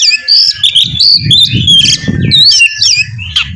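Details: Oriental magpie-robin in continuous, fast song used as prompting for another bird, a dense run of high twittering whistles and trills above a steady low rumble and a thin constant tone.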